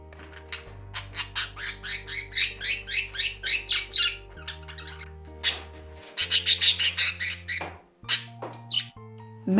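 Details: A budgerigar squawks, a sound said to mean fright, hurt, a sensed predator or anger, giving harsh, raspy squawks in quick bursts, two or three a second, with a short pause midway over background music.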